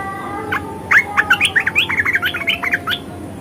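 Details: ["Loud, close red-eyed bulbul song in the 'ngeriwik' and 'ngebren' styles: a fast, even run of crisp chirping notes, roughly four per second, rising and falling in pitch for about two and a half seconds."]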